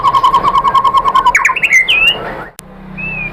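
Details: White-rumped shama lure song aimed at provoking other shamas to sing. A rapid even string of pulsed notes leads into a few sliding whistles, ending in one long level whistle.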